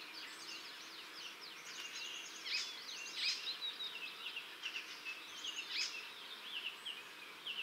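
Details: Blyth's reed warbler singing, a bird of gardens and woodland edges whose males weave other species' calls and phrases into their song; a dense, unbroken babble of quick varied high notes with a few louder accents, steady hiss behind.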